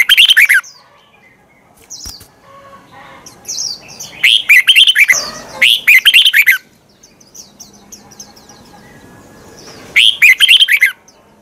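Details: Twisted-voice fighting song of a red-whiskered bulbul, used as a lure to train and excite other bulbuls at morning: energetic warbled bursts open and close the stretch, with a longer double burst midway and soft chirps between.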